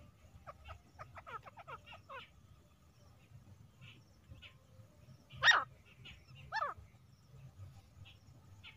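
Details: Female grey francolin (teetar) sound used for hunting: a rapid run of sharp, frequency-sweeping notes, a pause with faint notes, then two loud, shrill calls about a second apart over a low background hum.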